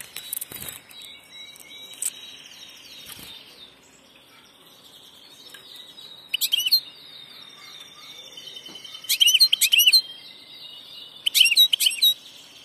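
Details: European goldfinch hybrid singing: short bursts of bright, rapid twittering notes with sharp upward sweeps, separated by long pauses filled with a thin sustained whistle and faint background chatter.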